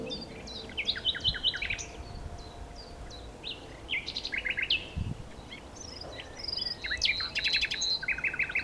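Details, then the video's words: A common nightingale sings clearly in varied phrases: upslurred whistles, quick stuttering series of repeated notes, and rich chattering bursts, separated by short gaps, with light background noise. "A Nightingale singing"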